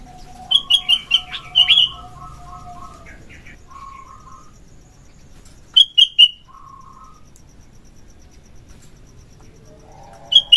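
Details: Morning song of a sooty-headed bulbul, or kutilang, used for luring birds: short loud chirpy bursts in quick groups, separated by pauses, with softer lower warbling notes from another bird between them.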